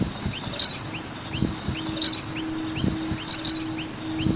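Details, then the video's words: Noisy miner birds at a skate park give quick upward-sweeping chirps in a steady series, clustering into brighter, busier bursts, while dull low knocks and a constant hum sit beneath. "Noisy Miner Birds with Chirping Sounds"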